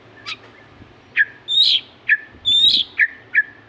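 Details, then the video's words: Magpie-robin in full song: short sharp whistled notes, spaced irregularly, alternating with louder rich warbled phrases that rise and fall, in a quiet setting. "burung murai gacor"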